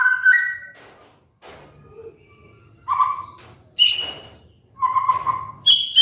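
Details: White-rumped shama (murai batu), kept bird, with trigger master song for molting birds: scattered whistled phrases at mixed pitches, some low and mellow, some high and ringing, separated by quiet gaps with faint background noise.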